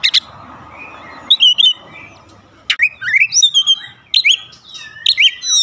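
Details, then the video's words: Daily lure recording of an Oriental magpie-robin to trigger singing. The clip opens with a faint low hum, then clear bursts of sharp whistles, upward slurs and rapid chattering notes follow, with brief gaps between phrases. "pancingan harian Kacer langsung gacor"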